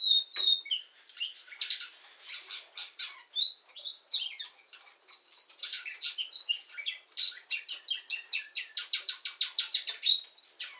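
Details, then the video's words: A canary called a nightingale singing canary opens with a clear whistle, then runs through chattering notes into long series of rapid, rhythmic high pulses that repeat almost without pause. "Nightingale singing canary"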